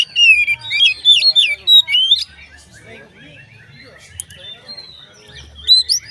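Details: Oriental magpie-robin in full song, used to set other magpie-robins singing: a fast two-second run of looping whistles and chirps, followed by quieter rambling twitters and one final bright upward whistle.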